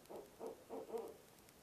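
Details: Barred owl visiting its nest box at 2am on November 4, outside the nesting season, uttering a monkey call: four quick, rough, hooting notes in under a second and a half, the last one loudest.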